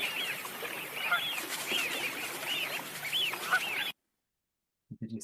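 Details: Flock of Eurasian wigeon (Mareca penelope) in winter gives clear, rising-then-falling whistles, several per second and overlapping; after a brief silence a voice begins to speak.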